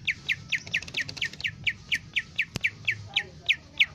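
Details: Lesser green leafbird (cucak ijo mini) singing actively, recorded as a master song for other birds: a fast, even series of about seventeen identical short downward-slurred whistles, roughly four per second, with one sharp click midway and low background hum.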